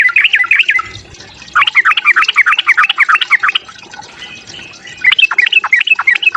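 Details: Sooty-headed bulbul fighting song for provoking rivals, with dense bursts of quick warbled whistles, a quiet gap, and a final run of sharp slurred notes.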